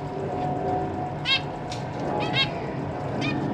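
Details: Captive zebra finch family in a large cage, recorded 12 December 2023 after new young fledged, with parents feeding them: a few short nasal, harmonic-rich calls spaced around a second apart over a steady low hum.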